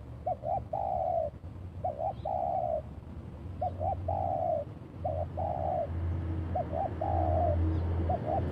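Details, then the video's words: Spotted dove in the kuk dua pattern: two quick short notes then a drawn-out falling coo, repeated about every second and a half, over a steady low hum. "PIKAT TEKUKUR KUK DUA"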